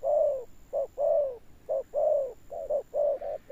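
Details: Spotted dove with a deep 'thunder-tone' coo and a persistent ending. It gives low, hollow coos that alternate short notes with longer, slightly falling ones, roughly one per second, with a faint steady high hiss in the background.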